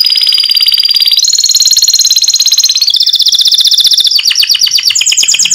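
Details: White canary used as a lure, singing continuously in piercing 'nembak' style: long, even, very high rolling trills that step up and down in pitch every second or so, closing with quick falling sweeps.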